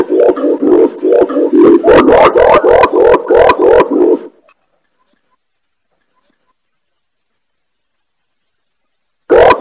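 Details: Lure call of an imperial pigeon, played to call wild pigeons: rapid deep hooting notes, about three per second for four seconds, then silence before another note starts.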